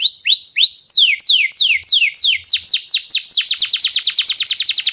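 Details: Master canary song for tutoring juvenile canaries: a few rising whistles, then loud sweeping notes slurring down, repeated faster and faster into a rapid rolling trill.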